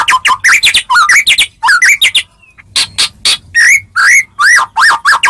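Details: White-rumped shama song meant to make other shamas answer: loud, varied phrases of rich whistled notes and sharp chips between 1 and 4k, rising and falling slurs, brief pause midway, otherwise clean.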